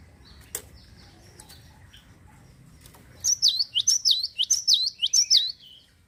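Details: Java sparrow in active song, used to rouse other birds to sing: after a quiet start with a few clicks, a steady run of about eight high, sharp chirps, each sweeping downward.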